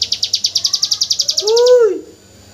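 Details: Hill prinia delivering a 'tembakan AK47' burst, kept as training song for white-rumped shamas: quick high staccato notes pulsing about eight per second, ending in a lower slurred whistle that rises then falls.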